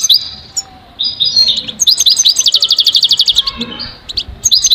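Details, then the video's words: Goldfinch song: bright twittering phrases followed by a long, rapid series of evenly repeated liquid notes, ending with a few scattered chirps; faint low rumble underneath. "listen to the most beautiful motivational"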